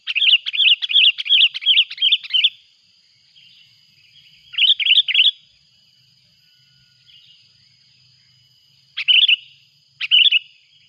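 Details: Sooty-headed bulbul calling noisily as a rival arrives, recorded to lure bulbuls in the mountains: bursts of quick, bright chirping notes, a long run of about seven, then shorter groups after pauses, over a steady high ringing background hum.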